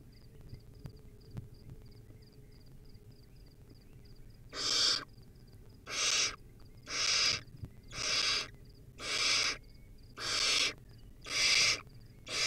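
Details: Wild barn owlet on a live-streamed nest camera, feeding on a rodent: after about four quiet seconds, seven harsh, breathy screeching hisses follow, each about half a second long and roughly one second apart, over faint, high, ticking chirps.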